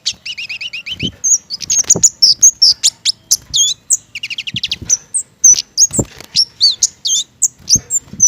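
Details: Singing flowerpecker from Indonesia, a garden bird that favours mistletoe fruit, delivering a fast stream of sharp high ticks, paired rising-falling chirps and thin piercing squeaks, loud and nearly continuous, with occasional low knocks.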